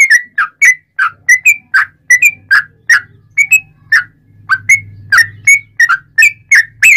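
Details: Sooty-headed bulbul singing energetically, used as a lure to get other bulbuls singing: a steady run of short, liquid chirping notes, each bending around a bright whistled pitch, given several per second, over a faint low hum.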